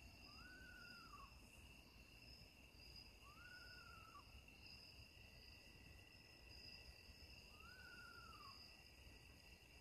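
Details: Just after sunset in a back yard, an Eastern Screech-Owl gives three separate whistled calls. Each lasts about a second, rises slightly, then slides down, spaced a few seconds apart over a steady high insect chorus.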